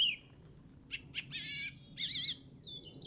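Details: English golf course, Easter Saturday 2007: a singing bird gives a few short clipped notes and a wavering, warbled phrase, then faint high whistles.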